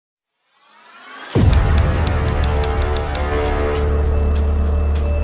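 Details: After a quiet swell, electronic music hits at about one second with a heavy bass drop, then pulses with regular beats and sustained tones; no animal is heard.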